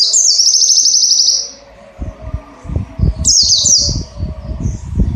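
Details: Song of an Oriental white-eye, recorded as a tutor for training cage birds. A long, shrill, fast-chattering trill lasts about a second and a half, then a shorter burst follows. Irregular low thudding knocks run underneath.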